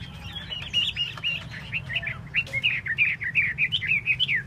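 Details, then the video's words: Chinese hwamei during a tail display, giving a quick chattering string of short twittering whistles, rapid and uneven, growing louder toward the end over a low steady background rumble. "Hoa mi mua duoi"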